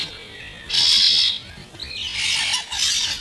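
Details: Young starlings, mainly this year's first brood, squabbling over food, played at half speed: a long harsh, hissing screech, then a quieter gap and two more rasping, noisy bursts, with a faint lower warble between them.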